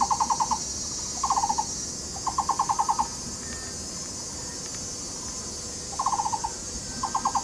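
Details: A Taiwan barbet pair duetting in courtship while excavating a nest hole in a tree at Yixuekeng nature park, Taishan, Taipei County: bursts of five to eight hollow, rapid mid-pitched notes about a second apart, over a steady high hiss of insects.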